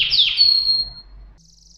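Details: Canary singing: a loud, high whistled note sweeping down and then holding steady before fading, followed by a faint, rapid high trill at the end.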